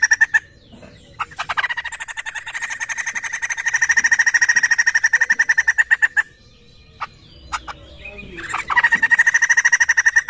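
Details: Laughingthrush (poksay) sound used as a lure to make birds answer: a long, rapid, even series of pulsed notes, paused midway and then resumed, with a ringing tone running through it.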